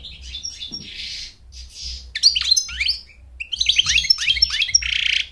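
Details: Singing American goldfinch, whose song serves courtship and tutoring young birds: rambling phrases of thin whistles, down-slurred twitters and buzzy, rasping notes, with a short pause before a renewed rapid flurry.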